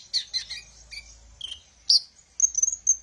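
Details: Olive-backed sunbird song, used as a lure to train captive birds: high, thin chirps and short squeaky notes in irregular bursts, ending in a quick run of sharp twitters, over a faint low hum.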